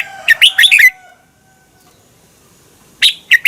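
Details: Thai caged Red-whiskered bulbul singing, a recording meant for training or exciting caged birds: one rapid liquid phrase of four chirpy notes, then silence before another phrase begins.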